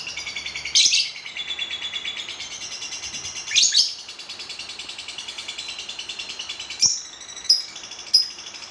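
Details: Lovebird keeping up a steady high rattling chatter, broken by a few sharp squeaks and short chirps toward the end.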